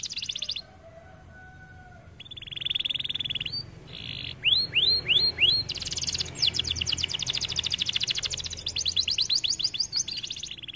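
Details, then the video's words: Aviary canary song used as masteran to teach other canaries: a buzzy rattle, then a few loud rising whistled sweeps, followed by long rapid trills of repeated chirps, with faint low background noise. "Kenari gacor cocok untuk masteran"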